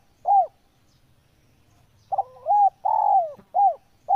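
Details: Spotted dove cooing, a master recording for caged birds: a single soft falling coo, then a phrase of hollow coos with a drawn-out descending note, over quiet low background hum.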